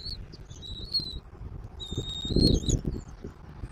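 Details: Bald eagle, Southwest Florida eagle camera, 10.02.2024, 14:02: a few high, thin, drawn-out whistles, level or slightly rising, in two short bursts, against low wind rumble and a gust of buffeting near the middle.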